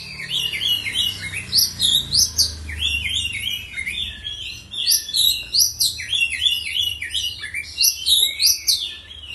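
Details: Caged Oriental magpie-robin in full song: a fast, rich stream of varied whistled and chattering phrases, high-pitched notes jumping up and down, delivered in rapid bursts with brief pauses.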